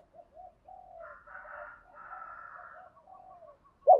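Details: Spotted dove cooing, used to stimulate decoy doves to coo: soft, low coo notes in short phrases, overlapped by a hoarse, broader murmuring sound, ending with a brief loud knock.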